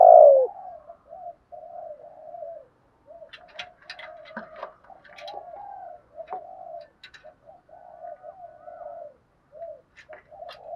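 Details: Spotted dove thúc gù cooing, meant to make a captive decoy dove call: one loud husky coo at the start, then a long series of soft, low, repeated coo notes with light clicks and knocks in the background.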